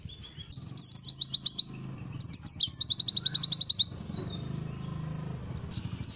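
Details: White-eye training song in the Langa Lingi style: two bursts of rapid high trilled chirps, each opening with sweeping notes, separated by a short pause, with sparse chirps near the end.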